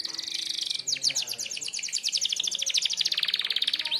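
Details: Merlok canary delivering a sharp 'tembakan' song meant for tutoring other birds: a steady high buzzy trill, then a rapid run of bright descending notes, ending in a quick rising flourish.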